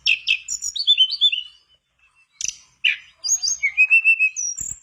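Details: Mangrove blue flycatcher singing hard, meant to prompt a quiet bird: a cascade of descending whistled chirps, a pause, then sharp notes and a run of level, evenly spaced high whistles.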